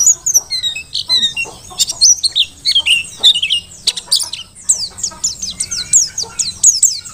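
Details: Mountain white-eye of the Merapi dakun form, singing hard for use as a tutor: high chirps mixed with sharp ticks and descending slurs, delivered in quick, irregular bursts across the whole stretch.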